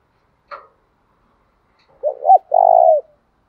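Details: Spotted dove coo played to provoke wild doves into fighting; a brief higher click first, then after a pause two short curved notes and a long, steady, buzzy coo.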